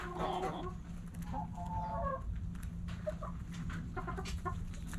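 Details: Backyard chickens at morning sunrise, hens clucking in short harmonic calls with a longer drawn cackle, steady low hum and scattered clicks behind.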